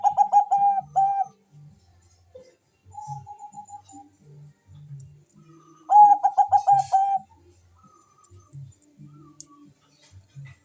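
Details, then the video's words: Bangkok-type zebra dove, a lively singer, used as a lure to stimulate mating drive and singing: two bursts of rapid, stuttering mid-pitched coos, with quiet low thumps and gaps between. "perkutut bangkok gacor suara merdu cocok untuk mendongkrak birahi dan bunyi"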